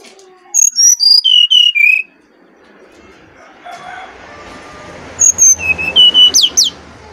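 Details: Bali Brown-chested jungle flycatcher, a lure song for training birds: a falling run of sweet whistled notes, a hissy gap, then a second phrase ending in sharp upward-sweeping whistles.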